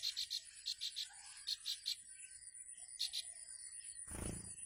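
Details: Bar-winged prinia mother calling for her young at the nest in the wild: short high buzzy notes in clusters of three, pausing, then a final cluster before a rough rustling noise ends the recording.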